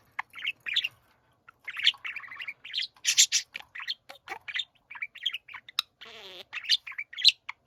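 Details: Pet budgerigars sing together: a busy stream of chirps, buzzes and scratchy squeaks, with a brief nasal, rattling note near the end.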